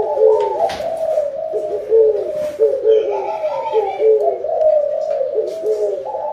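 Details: Low, hollow coos of a spotted dove, heard as a call for a rich harvest, overlapping in an unbroken chorus-like stream with faint higher chirps in the background.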